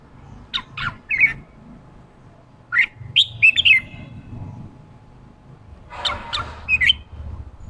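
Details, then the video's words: Red-whiskered bulbul, a newly caught wild bird being trained and provoked into the excited 'ché' fighting song. Short bursts of loud, sharp, chattering whistled notes come in three clusters separated by pauses, with a faint low hum underneath. "Kích chào mào bổi ra giọng ché chào mào ché kích trống căng lửa ché"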